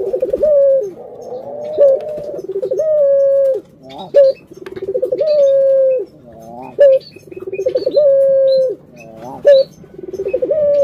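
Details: Kept collared dove cooing: long, steady, mid-pitched rolling coos, each about two seconds and preceded by a quick stutter, repeating roughly every three seconds with short sharp notes between them.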